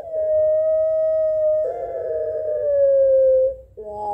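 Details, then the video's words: Barbary dove, puter pelung style, exchanging calls with a rival: a very long, even, pure-toned coo held for over three seconds, easing lower toward its close, followed by a brief new note. "Suara Puter Pelung Saling Sahut Memanggil Lawan"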